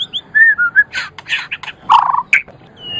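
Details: White-rumped shama song from a master recording for training other birds: a few clear whistled notes followed by harsh, noisy chattering bursts and a final rising thin whistle.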